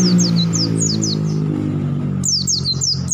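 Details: Forest oriental white-eyes singing in a group: a rapid string of sharp, high, falling chirps, briefly quieter, then resuming strongly, with a low continuous hum underneath.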